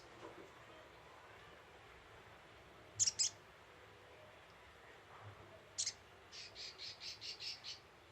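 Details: Little spiderhunter (sogok ontong) lure call: a double high chip, then a single chip, followed by a quick rhythmic series of about seven softer pulsed notes at the end.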